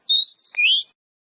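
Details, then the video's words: Oriental magpie-robin song phrase used to encourage singing: a long, level high whistle, a brief click, then a second rising whistled note, clear and isolated. "Suara Burung Kacer ' Agar Kacer Rajin Berkicau'"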